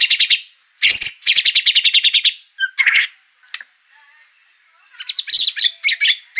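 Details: White-rumped shama song meant to provoke a bird into singing: bursts of fast harsh rattling notes, a brief clear whistle, quiet pauses, then quick varied chattering phrases.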